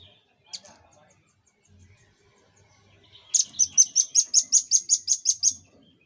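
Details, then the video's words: Rapid 'tembakan' volley from a velvet-fronted nuthatch, recorded as master audio for cage-bird training: one lone high chip, a pause, then about twelve piercing, evenly spaced high notes delivered in quick succession over two seconds. "Tembakan Dan Suara Khas Burung Rambatan Paruh Merah"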